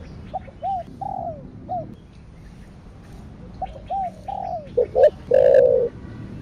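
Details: Cooing spotted dove in the 'thổ đặc thúc' ('thổ sấm') style. Soft hooked notes repeat quietly, then build to a louder phrase of two abrupt notes ending in a long, rich, low coo.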